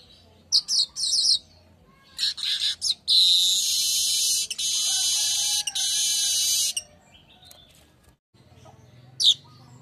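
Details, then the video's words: Daytime weaver song on a lure and tutor recording: a few high chattering notes lead into a long, loud, harsh buzzing trill lasting nearly four seconds, then quiet with one last sharp chip. "GACORRRRRRR siang burung Manyar"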